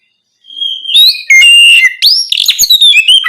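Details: Oriental magpie-robin singing loudly at night, used to prompt other birds to sing: starts with a long pure whistle, then rich varied whistled phrases with sharp slurs and quick chirps, continuous after half a second of silence.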